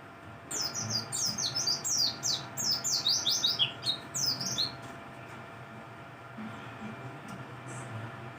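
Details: Mountain white-eye singing in the morning: a quick burst of very high, thin twittering notes with sweeping slurs, lasting about four seconds, then quiet with faint low background hum.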